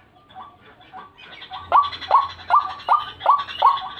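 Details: White-breasted waterhen lure calls begin faintly, then swell into loud, upslurred, nasal notes repeated steadily about every 0.4 seconds.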